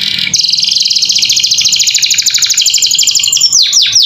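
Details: A caged canary sings a vigorous gacor filler phrase used as master tutor audio for young learners: one long, very fast, high metallic trill, closing with a few steep downward sweeps.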